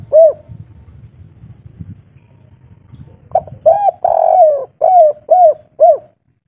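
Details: Spotted dove of the local 'kuk 3' type with a mature voice. One coo sounds, then about three seconds of low background rumble. A phrase follows: short hoots, a long falling coo, and three rhythmic arched coos.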